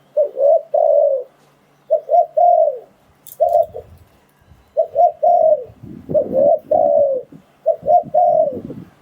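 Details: Spotted dove cooing, a call used to lure wild doves into traps: low, mellow phrases of two short hooting notes followed by a longer drawn-out coo, repeated in a steady series with faint low thumps between.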